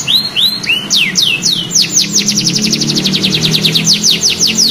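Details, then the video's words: Young canary learning its song: high, slurred downward whistles that speed up into a rapid rolling series of sweeping notes, with a low hum in the background. "KENARI PAUD BELAJAR BUNYI LANGSUNG NYAUT | CANARY SINGING"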